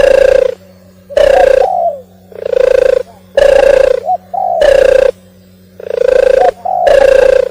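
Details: Oriental turtle dove singing: loud, deep, hoarse coos of about half a second, delivered in repeated pairs and groups with short pauses, over a steady low electrical hum.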